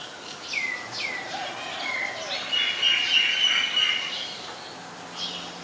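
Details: Common myna in Ubon Ratchathani, Thailand, recorded on 15 March 2021: a series of short downward-sliding whistled notes, then a louder harsh, chattering run of mixed notes, ending with a brief high note, over steady outdoor background noise.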